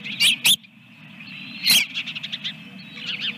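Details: Osprey calling from a nest with two eggs at Dunrovin Ranch, 24 April 2022, early morning: a few loud piercing whistled notes, then a quicker run of softer chirps, against constant low background hum.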